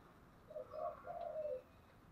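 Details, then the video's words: Spotted dove cooing in the thổ voice style, thúc and gáy gọi. One quick phrase of three hollow notes, the last longest and sliding down, over noticeable background hiss. "Cu gáy giọng thổ/ chuẩn thúc và gáy gọi"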